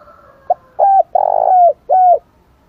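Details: Strong spotted dove cooing used to lure and provoke rival doves: a short soft note followed by three loud, deep, drawn-out coos, the longest one slightly pulsing, each ending in a gentle downward slur.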